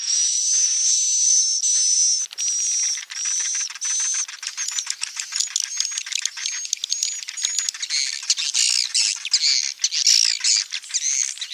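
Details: Swiftlet colony sounds used to tempt edible-nest swiftlets into building nests: first several long, buzzy, whistle-topped bursts, then rapid, dense clicking chirps from many birds that grow in a wash of high twittering.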